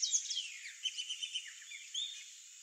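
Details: Sayaca tanager giving a thin, high twittering song of quick squeaky slurred notes, tumbling and run together, over a faint hiss.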